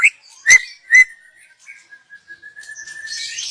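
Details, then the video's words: Young wild white-rumped shama from the forest, recorded for use as a lure, giving two loud clear whistled notes followed by a long thin steady whistle, with a faint buzzy sound at the end. "Kicau burung MURAI BATU Muda Hutan. Cocom untuk pancingan"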